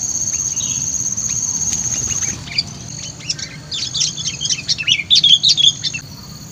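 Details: Lively, very vocal sooty-headed bulbul lure bird: after a quiet start, a rapid run of loud, bright chirping notes builds in the second half, with a constant high insect whine fading in and out.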